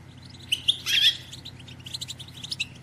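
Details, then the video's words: European goldfinch hen's batbata, a twitter meant to spur males into song and mating: a few sharp chirps, then a loud breathy rush around one second, followed by a run of quick, light high-pitched twittering notes. "بتبتة أنثى الحسون"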